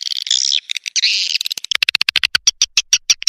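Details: Swiftlet calling sound, Lidah API style lure for attracting swiftlets: rasping chattering bursts at first, then a steady series of sharp dry clicks repeated about four to five times per second.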